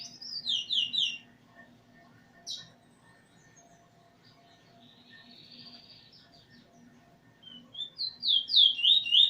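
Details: Eurasian bullfinch in training, singing alongside its teacher bird in August 2020: a few short descending whistles open, then a long quiet gap with a soft phrase, and a burst of quick looping whistled notes at the end.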